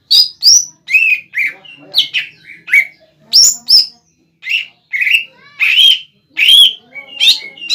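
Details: Captive young greater green leafbird singing loudly to provoke a rival leafbird into answering: varied loud whistled notes and sharp upslurred and downslurred chips, fast and irregular, with short pauses, clean background.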